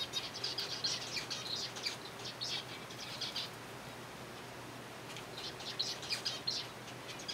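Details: Captive colony of zebra finches being fed softfood, giving short high chirps in loose irregular bursts, with wing flutters and a steady background hiss.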